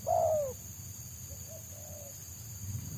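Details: Single loud, long, downward-sliding coo from a wild Spotted Dove (tekukur) sought by trappers for its rapid 'selang nguku' song, followed by faint distant coos and a steady low hum.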